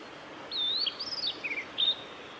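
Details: Male blue-and-white flycatcher song recorded at Lake Miyagase, Japan, 17 May 2020: a flowing phrase of high whistles that rise and fall, dips to a slightly lower slurred note, and ends with a short bright whistle. Faint hiss underneath.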